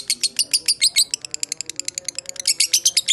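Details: Fighter lovebird chattering in the long ngekek style meant to draw replies from other lovebirds: quick, uneven bursts of piercing squeaky notes, some louder and fuller, others clipped and thin.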